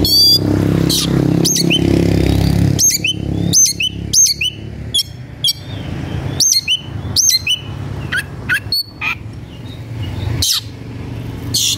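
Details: Oriental magpie-robin (kacer) in an aggressive mood, seeking a rival to fight: a rapid series of sharp, high, upslurred whistles and flicked notes, densely repeated, with low background rumble at the start.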